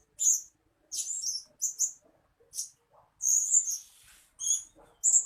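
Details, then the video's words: {'caption': 'Blue-crowned hanging parrot calls played as a decoy to draw in birds. Bursts of piercing high twittering chirps come about once a second, some run together into a longer shrill trill, with faint lower twitters.'} "Suara-Suara Denak Pemikat Burung Serindit Dada Merah"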